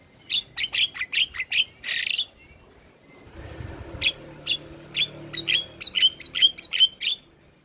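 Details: Lure recording of a Javan myna to coax silent, stressed mynas into song. Bright chirps repeat about twice a second, a harsh buzzy burst follows, then after a short pause more quick chirping notes.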